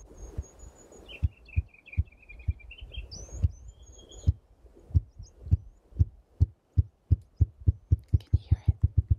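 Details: Male Spruce Grouse mating display near a remote Alaska cabin, rapidly flapping his wings: deep, muffled wing thumps, starting about once a second and speeding into a fast roll; a small bird chirps faintly behind.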